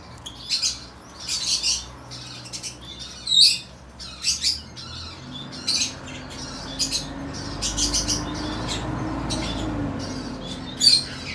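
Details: A pair of caged plum-headed finches in Fukuoka, Japan, recorded on 3 July 2023, giving short, scattered high chirps and squeaky notes at irregular intervals, over a low steady hum of room noise.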